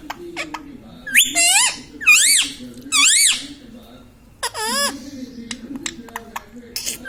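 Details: Talking pet Indian ringneck parakeet indoors, said to say mummy, papa and radhe radhe; four loud, high, rising-then-falling voiced phrases spaced about a second apart, then quieter clicks and a faint low hum.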